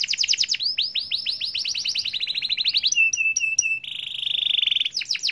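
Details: Atlantic canary singing at length to trigger other canaries: repeated arching whistled notes quickening into a rapid trill, a few sharp separated chips, a buzzy held trill, then more swept notes.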